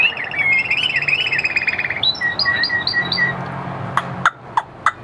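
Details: Chinese hwamei singing loud, rich whistled phrases that slide and waver for two seconds, then a run of short repeated two-part notes, ending with a few sharp clicks over faint background hum.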